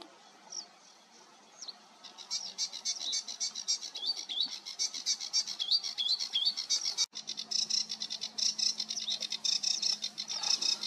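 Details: Sedge warbler singing on 28 June 2022: after a quiet opening, a hurried, high chattering stream of scratchy notes and short whistles that runs on without pause, broken by a brief click midway.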